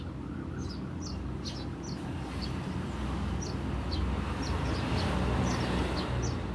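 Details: Ngriwik-style chirps of a tree sparrow, kept as a master recording for teaching cage songbirds, sharp, brief, high notes scattered two or three per second above constant low droning noise.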